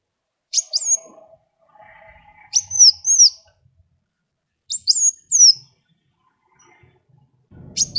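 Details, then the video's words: Sunbird (kolibri wulung) song for coaxing other birds to sing: sparse pairs of sharp high downslurred whistles, spaced a couple of seconds apart. A faint steady hum runs beneath, and a low rustle comes at the end. "SUARA KOWUL GACOR ISIAN SUPER MEWAH SEMUA JENIS BURUNG PASTI IKUT BUNYI"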